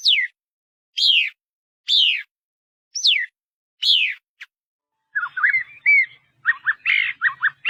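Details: Paddyfield pipit giving thin, sharply down-slurred notes about once a second for five seconds, each dropping from high to mid pitch, followed by a scratchy, jumbled chattering phrase near the end.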